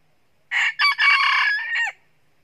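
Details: Red junglefowl rooster in the wild, crowing loudly before two roosters clash in a fight, while being trapped by a foot lasso; a harsh crow of about one and a half seconds, in segments, ending in a falling note.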